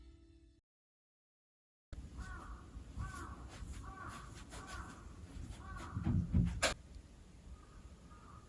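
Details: Crows at dawn, around 5 am on a cloudy Saturday in Kyoto, Japan, with the streets completely empty: a series of short, hoarse caws repeated about once a second, with faint traffic and a brief rustling thump.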